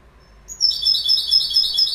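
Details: Goldfinch singing: after a brief thin whistle, a dense burst of high, liquid twittering notes starts and carries on steadily to the end.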